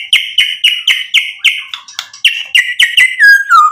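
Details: White-rumped shama repeating a short whistled note about four times a second, meant to goad rivals into replying, breaking off into falling slurred whistles at the end.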